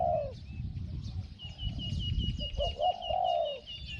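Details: Decoy spotted dove in Thai dove luring, noted for a small voice; low, drawn-out coos, one at the start and a longer one near the end, over rumbling noise and a steady high insect-like pulsing.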